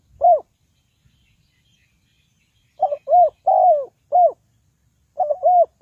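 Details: Decoy spotted dove used to lure birds into traps, giving soft, throaty arched coos. A lone note is followed by a run of five coos, one longer and drawn out, then a closing two-note phrase in quiet surroundings.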